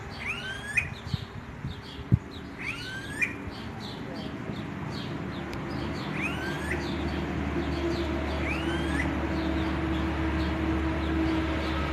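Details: Smooth-billed ani repeating a rising, whined whistle that bends upward at the end, about every two to three seconds, with a faint low hum and a few clicks beneath.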